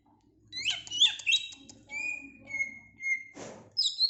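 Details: Greater green leafbird singing: a cluster of sharp chirps, then long steady whistles held at one pitch, a brief rustling noise, and a final high chirp.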